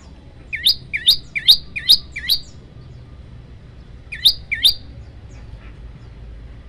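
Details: A bar-winged prinia sings a tutor recording of 'tembakan' song: five rapid hooked chirps rising from low to high, a gap of quiet, then two more.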